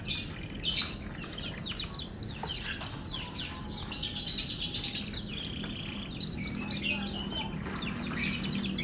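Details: F1 canary singing a sweet twittering song: sustained high warbled trills and quick chirps, strongest in a long rolling phrase midway, over low constant background noise.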